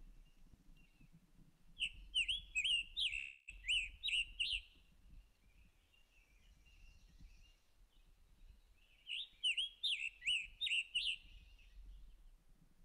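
Scarlet Tanager singing two bursts of hoarse, burry, robin-like phrases, four or five quick slurred notes each, with a faint low rumble underneath.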